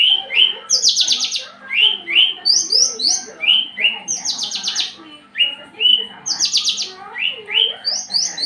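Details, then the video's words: Javan bush lark in breeding condition, eager to mate, often quivering its wings and raising its crest; repeated rising slurred whistles alternate with dense buzzy trills in a rhythmic cycle of about two and a half seconds. "branjangan lagi over birahi minta kawin"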